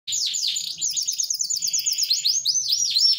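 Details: A kept canary singing in full, lively voice: rapid rolling trills of quick high sweeps, then louder arched slurred notes rising and falling several times a second, with a faint low hum behind.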